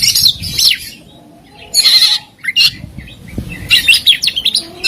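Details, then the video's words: Oriental magpie-robin, a competition songbird kept by hobbyists, in a luxury masteran recording full of fills and shots: three bursts of high whistled and buzzy notes separated by short pauses, with quieter chatter between. "Masteran Mewah Burung Kacer Full Isian Dan Tembakan"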